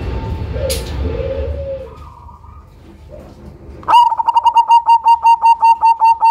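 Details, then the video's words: Lively Cemani-type zebra dove kept as a lure bird: after low murmuring cooing and a pause comes a loud run of about thirteen evenly spaced, pulsed coo notes, steady in pitch. "PERKUTUT CEMANI GACOR SUARA BESAR IRAMA UNIK COCOK BUAT PANCINGAN"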